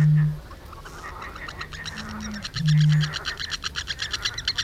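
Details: Eurasian bittern on a camera trap, 7 May 2017: deep, hollow booms, a low foghorn-like hoot three times in under three seconds, over a chorus of higher chirps and a rhythmic trilling.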